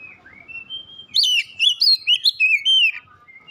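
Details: Oriental magpie-robin, first-place winner of a singing competition, delivering a quick run of loud whistled phrases, looping and upslurred notes in about six bursts, after a soft thin whistle at the start.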